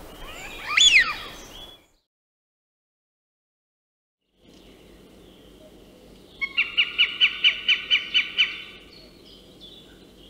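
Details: In Central Russia, a Northern Goshawk (Accipiter gentilis) gives a harsh, rapid series of about ten even kek notes in two seconds, after a brief sharp chirp from another bird.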